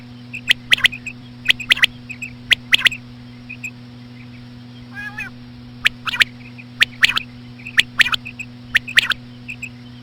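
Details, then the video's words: Common quail female calling slowly to lure quail; sharp clicking notes in steady doublets and triplets through the whole stretch, a single nasal call midway, and faint chirps over a constant hum. "COMMON QUAIL CALLING WITH SLOW FEMALE QUAIL SOUNDS"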